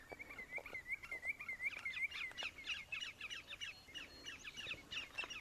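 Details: Yellowlegs calling in a wetland in April, giving clear, high whistled notes, with several birds overlapping in quick bursts over a soft background hiss.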